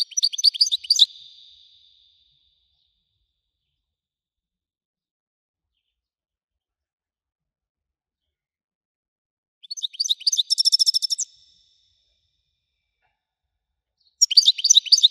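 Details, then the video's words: European goldfinch of the widani type singing: bright, high twittering phrases of fast trills and chirps come in three short bursts separated by long silences. "حسون ويداني حصري صوت مزلزل"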